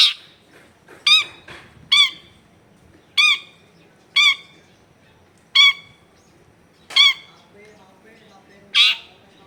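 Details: Long-tailed shrike, a strongly singing bird used as a lure for other shrikes, recorded in a crowded residential area: sharp, harsh, stacked chattering notes repeated irregularly, with faint household background noise.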